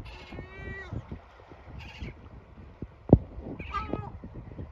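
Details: Yellow-legged gull family scene: the male screeches at his chicks to make them rest in their shelter; a drawn-out nasal wail, faint higher peeps, a sharp knock, then another cry.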